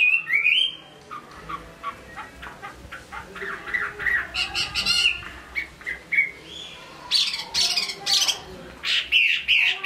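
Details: Chinese hwamei from Hải Phòng singing, mixing harsh, squawking notes with rapid clicks and short whistled phrases, delivered in bursts separated by brief pauses.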